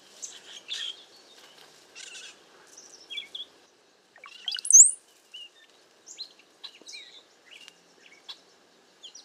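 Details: Cowbirds in a group during bad weather and strong wind, seeking a safe place: scattered squeaky chirps and chatter, broken by one loud, thin, sharply rising whistle about halfway through, then more short scattered notes.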